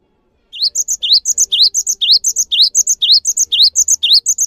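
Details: Cinereous tit; song; provokes other tits to start singing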